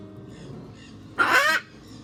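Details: A blue-and-yellow macaw, one of a reintroduced, thriving group frequenting a lodge in Brazil's Pantanal, gives one loud, harsh, raspy squawk under half a second, over a faint low hum.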